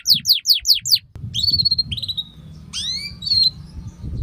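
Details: Training song for young canaries from a canary singing at length: five rapid down-slurred notes, then warbled tones and swooping sweeps over a low background hum.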